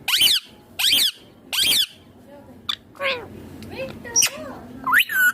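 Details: Ringneck green parrot eating food: three loud, harsh screeches spaced under a second apart, followed by softer bent squeaks and a final rising whistle-like note.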